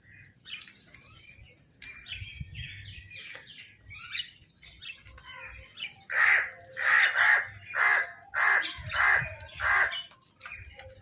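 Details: Crow food call, recorded while crows fight for food: after six seconds of mixed chattering and chirping from other birds, a run of seven harsh, loud caws follows at roughly even half-second spacing, with low background rumble.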